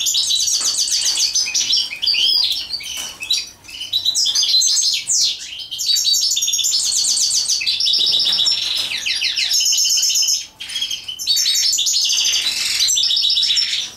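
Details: European goldfinch singing during mating, a long, dense, fast tinkling warble of high buzzy trills and twittering notes, nearly continuous with only brief breaks.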